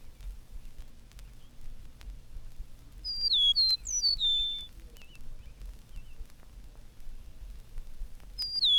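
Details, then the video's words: Eastern Meadowlark singing in spring from a telegraph pole: high, clear, slurred whistles gliding downward, fitting "It's sweet to me" or "the spring of the year", two phrases over about two seconds, repeated near the end, over a low hum. "On the next telegraph pole is an eastern meadowlark, greeting the world in high, clear whistles that seem to fit the phrase, "It's sweet to me,""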